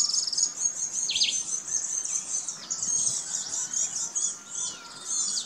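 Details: Saffron finches in Herradura, Formosa chatter in a steady stream of high, sharp chirps and tweets that overlap almost without pause, as if several birds call together.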